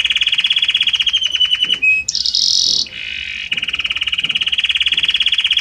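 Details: Belgian canary song moving note to note: a fast rolling mid-pitched trill, a short pure whistle, a high buzzy burst, a lower rattle, then a long rapid rolling trill repeated several times a second.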